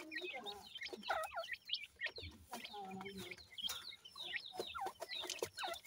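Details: Baby francolin (teetar) chicks calling: a busy stream of thin, high peeps and sharp downslurred chirps, often overlapping, mixed with lower clucking notes and brief human voices in the background.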